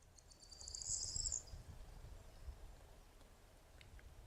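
A corn bunting gives a brief, high, jangling trill of rapid glassy notes lasting just over a second, over a low rumble of wind.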